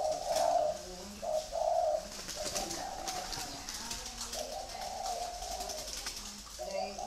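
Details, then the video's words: Free-range breeding spotted doves giving soft, low cooing phrases, a few hoarse hoots heard against a steady hiss and background noise. "chim cu gáy nuôi sinh sản thả rông"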